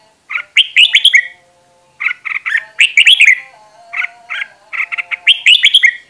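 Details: Decoy red-whiskered bulbuls singing in a group for voice-training purposes; crisp phrases of three to five quick whistled notes come in separate bursts with clear pauses between them.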